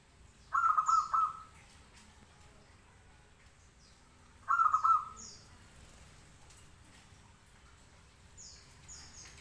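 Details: Local zebra dove giving two rolling cooing phrases about four seconds apart, each a quick burst of pulsed notes, while faint high chirps from other birds sound in the background.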